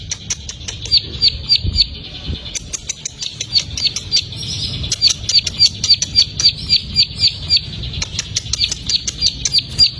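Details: Plain prinia, a newly caught bird, in a steady series of sharp high ticking notes repeated about three or four times a second, with faint other chirps in the background.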